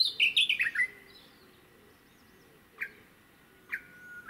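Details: A Japanese bush warbler (Horornis diphone) on Teuri Island, Hokkaido, 22 June 2019, gives a quick run of falling chirpy notes, then a long, steady, high whistle broken twice by short sharp notes.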